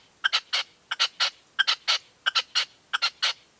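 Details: Red-legged partridge used as a decoy at first light, 2023: loud, grating triple notes repeat in a tight, regular rhythm across the whole stretch, close and clear against a quiet background.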